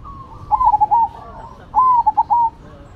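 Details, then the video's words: Singing Zebra doves, a Cemani against a Silver: two similar phrases of gurgling, staccato coos about a second apart, each ending on a longer held note. "Perkutut Cemani Gacor Vs Silver Gacor"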